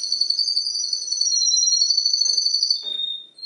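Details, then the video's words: Canary said to mimic other birds' songs: long pure whistled notes held high and steady, slightly wavering, then a lower flat tone near the end, with faint soft clicks underneath. "CANARY PARODIES 10 BIRDS SONG"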